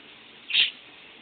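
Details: Pet lovebird trying to sleep while someone takes a shower. One sharp, high-pitched squeak lasting about a fifth of a second, standing out against a soft background hiss.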